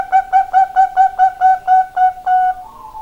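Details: Bangkok-type zebra dove (perkutut) singing: a quick series of about nine clear, mellow cooing notes at an even pace, ending with a longer drawn-out note and a lower final coo.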